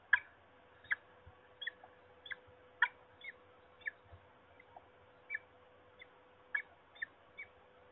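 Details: Peregrine falcon calling at Trzebież, Poland, on 26 March 2021: harsh, sharp notes repeated in irregular bursts, roughly one every few seconds, over a steady low electrical hum.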